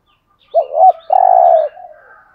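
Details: A single cooing phrase from a spotted dove in the 'hạp bổi' style, meant to rouse caged birds. Two quick dipping notes lead into a drawn-out, throbbing low coo that fades into faint background chirping.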